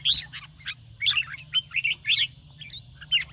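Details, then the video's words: Red-whiskered bulbul in competition training, morning ché song: four or five loud bubbly whistled phrases about half a second each, plus a thin rising whistle sliding upward late on. "chào mào hót sáng QUÁ HAY - CHÉ KÍCH BỔI CĂNG ĐÉT"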